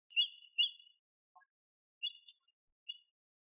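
American avocet giving four sharp, high, clear 'kleet' notes in two pairs, with a faint low note and a brief rasp in between.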